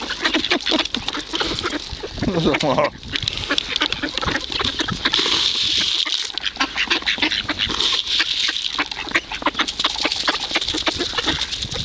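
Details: Hungry ducks crowd together while being fed at the Kirchsee in Preetz, Germany, giving a dense, continuous stream of overlapping nasal quacks with no pause throughout.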